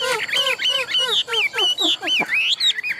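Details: Well-tamed Chinese hwamei kept for singing contests repeats rich, arched whistled notes about four times a second, steady and loud, ending in a higher rising phrase.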